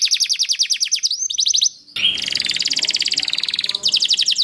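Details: Canary singing as a lure for other canaries: fast high trills, a brief pause, then a long rough rattling trill with a grainy undertone before clear trilling resumes.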